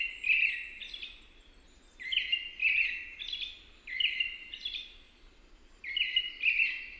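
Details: Continuous American robin song of rising and falling whistled phrases in pairs and triplets, slightly echoing, with a faint low hum underneath.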